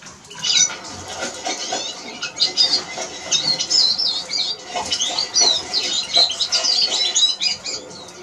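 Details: A continuous, rapid high twitter from a Eurasian siskin, with squeaky, slurred and buzzy notes packed together in lively phrases, and a faint crackle of background noise.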